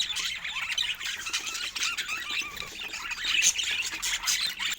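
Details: Pet budgies at play produce a continuous twittering warble, many overlapping high chirps and thin whistles rising and falling quickly, growing slightly louder toward the end.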